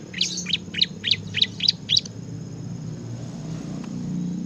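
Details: Ciblek, the bar-winged prinia, in energetic ngebren song: seven high, clipped chirps spaced about a third of a second apart, followed by quiet with a faint low hum underneath.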